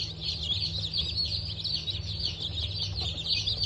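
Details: Brahma and Wyandotte chicken chicks just out of the egg, hatched 19 October 2024, chirp together in a thick wall of thin, high cheeps over a low steady hum.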